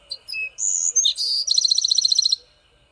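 A Bewick's Wren sings a sweet, high song: a few thin whistled and buzzy notes, then a fast trill of about fifteen crisp notes lasting under a second.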